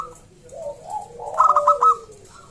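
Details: Local wild zebra dove singing loudly: soft low coos then a quick run of bright, bubbling, tremulous notes, clear against a quiet background.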